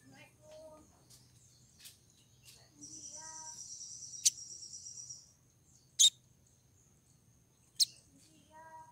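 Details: Female pied triller calling while in heat to lure a male; a long high buzzy trill, sharp loud clicks about every two seconds, and short soft lower notes at the start and end.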